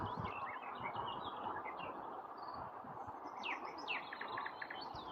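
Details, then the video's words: Nightingale song of quick chirps and short whistled slurs, with a denser cluster of sharp descending notes in the second half, set against constant background noise. "Nightingale singing夜鶯大展歌喉"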